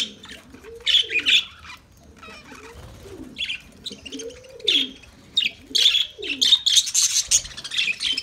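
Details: Lovebird singing: scattered shrill squeaks early, then a loud run of harsh, high chirps, accompanied by low arched cooing notes repeating steadily underneath.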